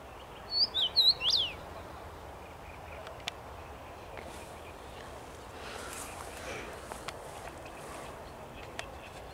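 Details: Common rosefinch perched in a tree, 23 May 2021, giving one brief whistled phrase of four slurred notes ending in a rising sweep, then faint background hiss and distant clicks.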